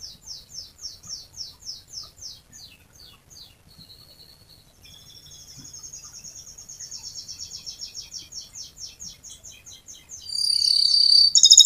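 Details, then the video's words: Canary singing a long rolling song used to lure other canaries into singing: quiet, evenly paced high chirps, then a softer rising trill that gradually builds, ending in a sudden loud, bright burst of song. "Masteran Suara Burung Kenari Gacor Panjang cuit cuit Ngerol untuk Pancingan Kenari"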